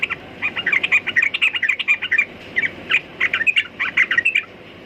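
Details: Sooty-headed bulbul pouring out a lively stream of sharp, chirpy chatter notes in clustered bursts, set against constant low background noise.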